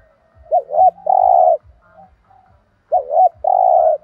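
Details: Spotted dove singing in the 'thổ đồng' voice, 'thúc gù' style: two phrases, each two quick rising-falling notes followed by a long steady low coo, about two seconds apart, with soft regular low clicks underneath.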